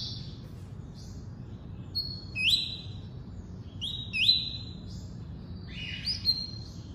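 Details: Tuí-tuí style song of a double-collared seedeater, with clear high whistled notes, each ending in a quick upward sweep and a flat sustained tone, repeated in separate phrases about two seconds apart over faint background hum.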